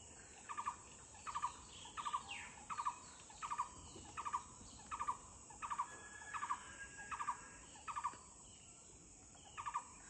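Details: Yellow-footed green pigeon (Treron phoenicopterus) at Block Road, Titabar: short, mellow, warbling whistled notes repeated about once a second, over a steady high insect drone.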